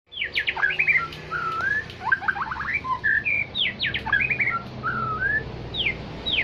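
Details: White-rumped shama (murai batu) of the Aceh type, song used as a lure to provoke other birds: rich varied phrases of whistled notes, rapid downslurred chips and rising slurs, sung continuously over a low steady background hum.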